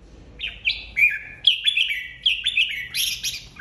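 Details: A lead red-whiskered bulbul newly separated from the aviary sings in a singing contest: bright, liquid warbled phrases, each slurring up and down, about one a second, over a faint low hum.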